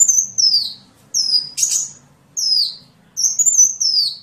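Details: Sunbird song used as a training recording for songbirds: high, thin whistled phrases that slide downward, each under a second, separated by short pauses, with one harsh buzzy burst midway. Faint low rumble underneath.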